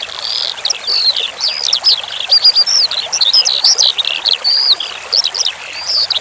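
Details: Branjangan skylark song set against flowing water for relaxation: unbroken, fast, high-pitched twittering with quick rising and falling whistled notes and short buzzy trills, a soft watery rush beneath.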